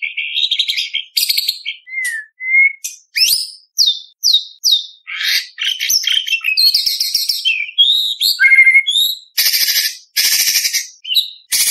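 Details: White-rumped shama in rich, varied competition-style song full of mimicked phrases: rapid whistled slurs, sharp buzzy bursts and rolling trills tumbling one after another with brief gaps, loud throughout.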